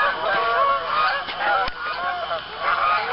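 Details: Geese on an Arkansas pond around 7:20 p.m. in October, honking near sundown; loud, wavering nasal honks from several birds at once, with one sharp click.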